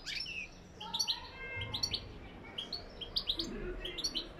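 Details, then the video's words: Goldfinch singing lak lak style, a lively stream of high chirps and twitters with quick slurred notes and a few thin, drawn-out whistles, packed densely from start to finish. "Saka ötümü lak lak"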